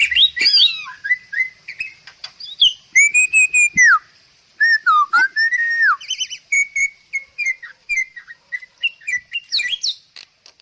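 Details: Masteran recording of a Bali myna song from Bali: strong whistles that swoop, fall and rise. Quick ticking notes and brief harsh chatters are packed between them, with one silent gap midway.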